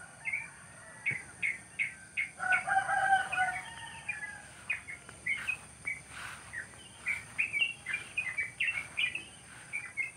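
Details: Wild birds chirping on a cool, pleasant morning in rice fields at the edge of a countryside village; bright, short chirps repeat rapidly, several per second, with a denser, overlapping burst of calls early on and a steady high hiss throughout.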